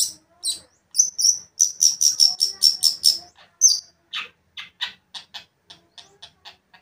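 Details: Long-tailed shrike song aimed at provoking another shrike: a run of quick, whistled, slightly trilling notes, then a looser series of dry, scratchy chips that fade toward the end.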